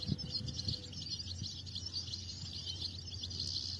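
A European goldfinch gives a fast, tinkling twitter of high liquid notes that runs on without pause, over a steady low hum.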